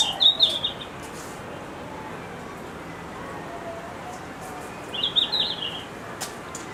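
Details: A red-flanked bluetail singing at Higashiyama Zoo gives two brief, high, sweet warbled phrases about five seconds apart, over a faint steady hiss with a few soft clicks.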